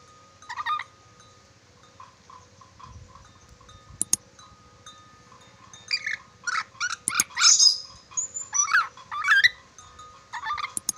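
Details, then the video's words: Sulawesi red-breasted parakeet, known for many whistles, starts with soft ticking pips, then breaks into a rapid series of harsh chattering bursts and short swooping whistled notes, getting busier toward the end. "Nuri dora sulawesi pintar bersiul, nuri dora banyak siulan"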